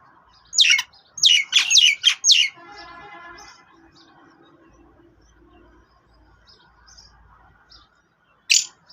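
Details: Sindhi black francolin (kala teetar) giving a loud phrase of four or five harsh, rapidly falling notes in a tight rhythmic burst, then a quieter buzzing rattle and a low hum, with one more sharp note at the end.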